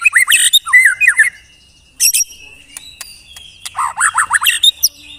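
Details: White-rumped shama delivering a tembakan song: clusters of quick chattering and squawky notes, a sustained thin whistle, then a rapid run of falling notes.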